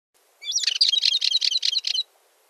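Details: Balearic warbler song: one short, scratchy, fast warble of about a dozen high chattering notes, lasting about a second and a half, in a quiet setting.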